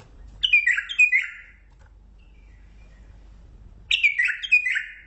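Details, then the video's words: Mandali bulbul singing two short, rich warbled phrases of bright falling and rising notes, about three seconds apart, with quiet gaps between. "بلبل مندلاوي لسنات تغريد روعه"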